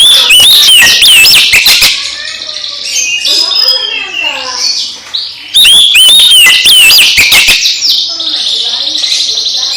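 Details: Oriental magpie-robin singing to make a sulking magpie-robin active again: two loud bursts of swooping whistles with rapid clicks, separated by quieter twittering and warbling notes in the background.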